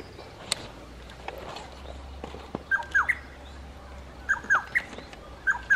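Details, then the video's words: Rusty-cheeked scimitar babblers sing a duet, trading clear, fluty two-note phrases in quick answering bursts a few times in six seconds, over a low steady hum and soft background noise. "Rusty cheeked Scimitar babbler"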